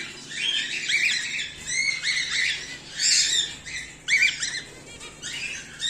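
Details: Home-bred cockatiels, whiteface emerald and exhibition grey male, call in short scratchy chirps with rising notes, grouped in bursts about once a second and separated by brief pauses; a faint low hum runs throughout.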